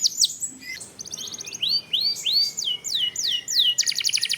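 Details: Canary song played as lure audio to trigger singing: a quick series of high downswept whistled notes, about three per second, ending in a dense buzzy rolling trill.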